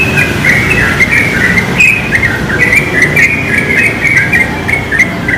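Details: Yellow-vented bulbul, wild, perched in a pine and singing busily; a chattering string of clipped, liquid notes rising and dipping, nearly continuous, over a low background hum and light insect ticks.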